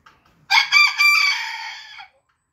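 A Booted Bantam rooster gives one thin, high crow of about a second and a half, rising at first and then trailing off, with silence around it.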